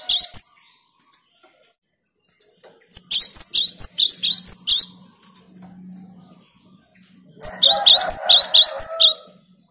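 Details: A cinereous tit sings clearly and tirelessly, a song said to anger rival birds: two long runs of quick high two-note phrases separated by a quiet pause with a low hum, with lower noise under the second run.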